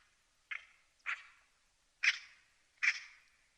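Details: A magpie gives four loud, harsh, grating chack notes, the first two close together and the last two louder, each a short noisy burst, with silence between.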